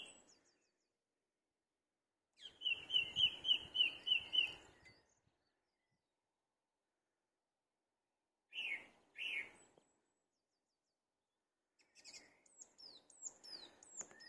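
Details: UK garden song thrush perched atop a tree, delivering a rapid phrase repeated about eight times, then a doubled note given twice, followed by further scratchy, varied high phrases after short pauses.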